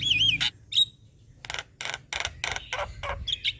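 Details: Master recording of a chattering Javan myna: a looping whistled phrase, then a brief note, then a string of harsh broadband rasps.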